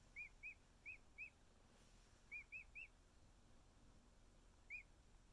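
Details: Snuggling with its keepers, a male emu chick just over a week old utters clusters of short arched whistles, two to three per group, then a lone peep after a two-second pause.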